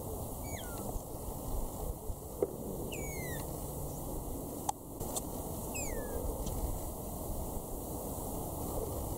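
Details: Red-winged starling, a male and female pair feeding on prickly pear berries in the Eastern Cape, South Africa, March, giving three clear, down-slurred whistled contact calls a few seconds apart over a steady low rumble and faint clicks.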